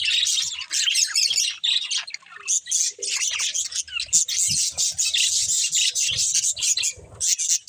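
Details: Budgies at play give loud bursts of chattering, squeaky chirps and harsh little squawks, broken by short pauses, with clicks and taps beneath.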